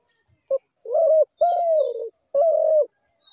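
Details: Spotted dove calling: a short clipped note, then three mellow, hollow coos near the same low pitch, the middle one longest and sliding slightly downward, in a clean quiet setting.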